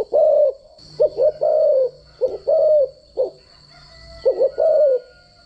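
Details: Spotted dove decoy call for daily voice training of doves: mellow coos in paired short notes followed by a longer falling coo, repeated three times, over a faint low hum and a steady high whine.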